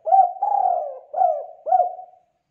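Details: A single song phrase from a lively spotted dove, meant to train young birds to sing: a short coo, a long wavering coo, then two shorter hooked coos, all mellow and low.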